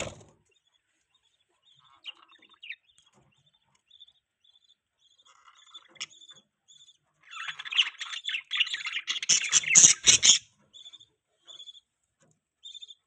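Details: Budgerigar chatter: scattered faint high tones for several seconds, then a three-second outburst of loud, dense, scratchy chirping and warbling before fading back to occasional soft notes.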